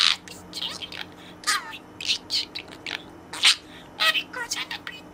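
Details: Budgerigar kept in a cage chatters learned words at its toy companion during play, a dense run of rapid, warbling, speech-like syllables and bright high chirps with hardly a pause.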